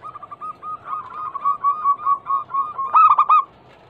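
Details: A local zebra dove, described as a female calling a male, used as a lure: an accelerating string of rounded coos building to a loud, choppy stuttering flourish, then silence.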